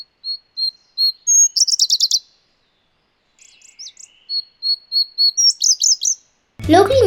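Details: Indian blue robin, a winter visitor to Sri Lanka's up country: a few thin, high, evenly spaced whistles run into a quick jumbled higher trill, twice; a voice starts at the end.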